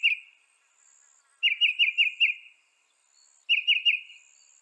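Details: North American northern mockingbird giving two bursts of four or five rapid, slurred chirps separated by a quiet pause of about two seconds.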